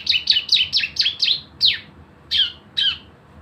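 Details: Javan white-eye giving 'nembak bren' lure song to trigger singing. A quick run of six high, sweeping chirps is followed by three well-spaced, louder downslurred notes.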